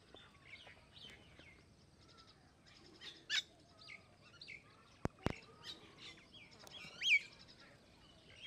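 Common myna giving a varied run of sharp whistles, chirps and harsh clicks at mixed pitches, with other birds chirping faintly behind and two loud knocks midway.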